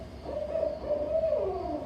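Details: A Barred Owl in the Pacific Northwest gives a run of low, mellow hoots rising and falling, ending in a drawn-out descending note, the "who cooks for you" phrase.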